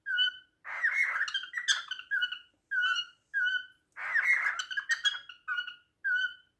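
A male cockatiel sings to a female in clear, repeated whistles broken by harsher warbled bursts.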